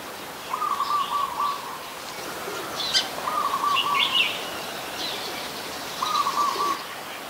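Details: Adult red-whiskered bulbul (Pycnonotus jocosus) gives three short, warbled whistled phrases about a second long, every two to three seconds, with thin chirps from other birds between; Ubon Ratchathani, Thailand, 26 December 2020.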